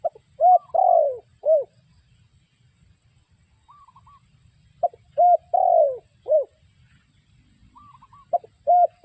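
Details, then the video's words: Spotted dove call used as a trapping lure: a phrase of low hollow coos with one long falling note, repeated three times about every four seconds, faint higher whistled notes between phrases. "The Sound Of Spotted Dove Bird"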